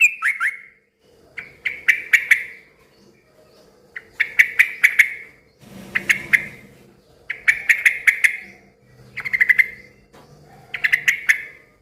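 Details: Loud yellow-vented bulbul meant to make other bulbuls call back: clusters of three to five sharp chirps repeated every one to two seconds, with a faint low hum behind.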